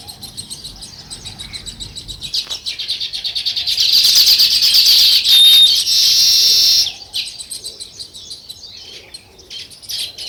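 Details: Natural chirping of a sparrow flock: a dense chorus of rapid, high, twittering chirps that swells into a loud, continuous wall of chatter midway, then thins out to scattered, repeated chirps near the end.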